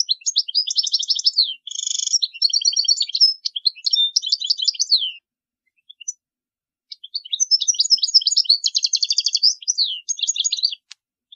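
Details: European goldfinch (chardonneret) song, recorded 2020, played for teaching young birds: two long bursts of rapid, tinkling, twittering notes with buzzy trills, split by a second-long pause near the middle, with no other sounds.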